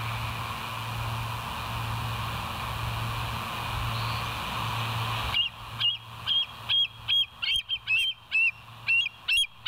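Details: Bald eagle on a West End live nature cam, 24 September 2023 at 06:59; after about five seconds of steady hum, a run of high, sharp whistled notes with harmonics, repeated roughly twice a second, rises to the end.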